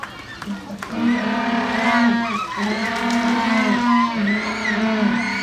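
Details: Captive Humboldt penguin at Hamura City Zoo, Japan, recorded 20 June 2015, giving a sustained donkey-like bray: a low buzzy tone held in long pulses with stacked overtones, briefly broken near two and a half seconds, nearly continuous throughout.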